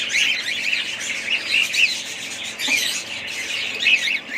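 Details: Budgerigars giving dense, overlapping high chirps and squawks, a busy flock chatter with short warbled notes rising and falling throughout.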